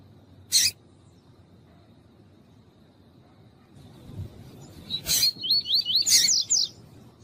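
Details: Warming-up male double-collared seedeater, a tournament bird, heard with a calling female: a sharp click, a long quiet gap, then a loud burst leading into a high, rapid, wavy trill of looping notes that ends abruptly.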